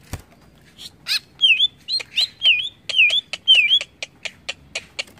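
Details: Greater green leafbird, song used to rile other birds; sweet looping whistled notes repeated between dry clicks and chips, with faint low background rumble.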